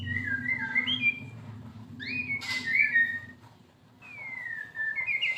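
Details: White-rumped shama in moult singing a crackling fighter-style song: clear whistled notes sliding up and down, a long descending whistle near the end, with a low hum beneath.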